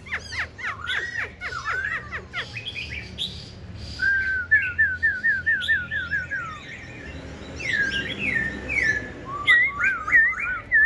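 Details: Tame Black-throated Laughingthrush in a cage, singing against a Red-whiskered Bulbul: fast chattering sweeps, then a long rippling series of looped whistles, followed by varied slurred phrases and repeated bright upturned notes.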